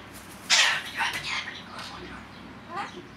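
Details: A male pet cockatiel, waffling away to himself when he thinks no one is watching, mutters and chatters in short, harsh, breathy bursts of mimicked speech, spaced unevenly over a few seconds, in a quiet room.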